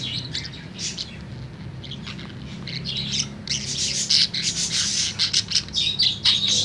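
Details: A tame budgerigar's afternoon singing builds from scattered high chirps into loud, rapid scratchy warbling and squeaks, growing denser toward the end.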